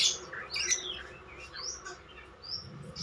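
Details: Javan myna (jalak kerbau), a talking bird, gives soft, quick whistled chirps and upward-slurred notes, fairly quiet against low background noise.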